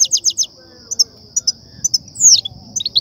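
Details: Song of the European goldfinch, of the 'btbta' and 'ststa' styles used to excite and trap goldfinches; a quick run of sharp chips, scattered single twitters and one falling slurred note, with a constant high-pitched whine behind.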